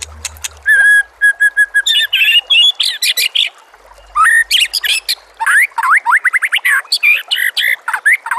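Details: White-rumped shama singing a rich, varied phrase. It opens with a few clear whistles, then pours out fast chattering trills and sliding whistled notes in dense bursts, with barely a pause between them.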